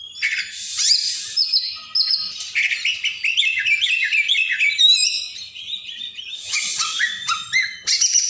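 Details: Nonstop singing from a kacer (oriental magpie-robin), recorded as a long training track for quiet birds: fast varied phrases of chirps, trills, sweeping whistles and rasping notes packed tightly together.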